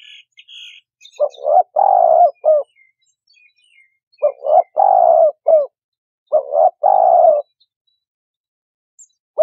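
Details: Spotted dove cooing as a trapping lure, three phrases of a doubled note, a long hoarse coo and a clipped final note, with faint high chirps from another bird at the start.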